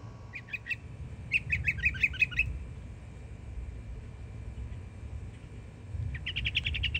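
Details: Yearling Florida mockingbird singing: short rapid stuttering series, a longer run of repeated chattering notes, a pause, then another fast repeated burst of similar notes, with low rumble in the background.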